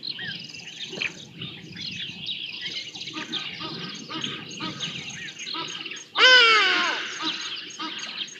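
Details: Recorded on a live camera at Djuma Private Game Reserve on 5 January 2024, a young Black Sparrowhawk seeking lunch: after several seconds of busy songbird twitter, one sudden loud, buzzy, falling scream cuts in and tails off.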